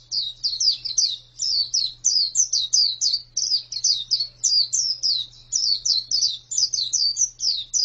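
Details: Female white-eye singing a fast run of high, thin twittering notes, short downslurred and rising chirps packed closely together for the whole stretch, with a faint low electrical hum underneath.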